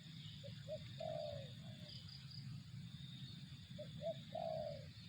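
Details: Spotted dove cooing: two short soft hoots followed by a longer, drawn-out purring coo, the phrase given twice, over a steady low rumble and a high, thin insect-like drone.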